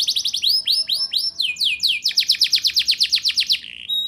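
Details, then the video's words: Singing canary, played to coax young canaries into song: chains of repeated rising whistled notes changing speed, a long run of rapid downslurred syllables, ending in brief clear whistles. "Suara Burung Kenari Gacor Ngerol Nembak! Ampuh Untuk Pancingan Kenari Paud Biar Bunyi"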